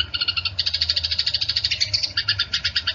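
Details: Fighting Eurasian tree sparrow chatter: a fast, even string of sharp, high chirps running through three seconds without a break, with a faint low hum underneath.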